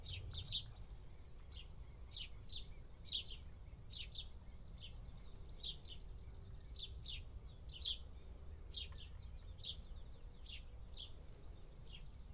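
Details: While dust bathing in India, a house sparrow chirps repeatedly, short sharp notes often in twos or threes, about one to two per second, against low rumbling noise and a faint constant high tone.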